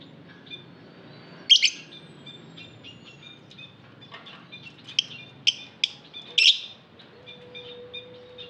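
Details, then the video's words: Lovebirds in an aviary giving scattered harsh, buzzy chirps, a few loud bursts between softer quick ticks, with a faint steady low tone near the end. "Lovebird Singing Call & Chirping Sounds"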